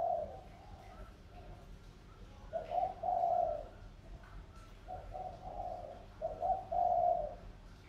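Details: Decoy spotted dove of Sóc Trăng stock, tamed over two years and calling strongly: series of low, husky coos in short-long pairs, some softer, with a faint hum in the background.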